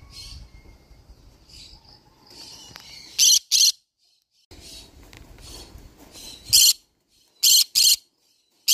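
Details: Green-cheeked conure letting out harsh paired screeches and a single squawk between stretches of low rustling household noise.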